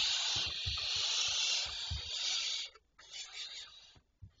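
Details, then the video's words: Barn owls recorded at 02:16 at night on 26 May 2023: a long, harsh, breathy hiss for nearly three seconds, then shorter rasping bursts after brief pauses, with faint low thumps underneath. "Chouettes Effraies"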